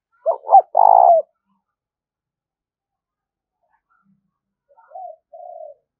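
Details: Spotted dove sound used to set off decoy doves calling and to train them: two quick hooked notes and a long rolling coo at the start, then silence and two soft short coos near the end.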